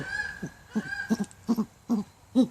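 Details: A captive great horned owl during the courtship and breeding season, in a food-sharing pair-bond session with its keeper: about six deep, muffled hoots, some doubled, spaced roughly every half second, with a faint steady background tone.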